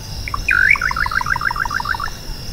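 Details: Little nightjar (Hydropsalis parvula), also called bacurau-chintã or bacurau-pequeno, singing: two short lead notes, a loud swooping U-shaped slur, then a rapid rattle of about a dozen paired high-low notes lasting over a second; a steady high insect hum continues behind.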